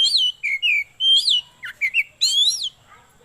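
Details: Oriental magpie-robin singing a song suited for luring birds, tutoring birds at home and song contests: loud, clear whistled phrases that slur up and down, delivered in quick bursts separated by short pauses.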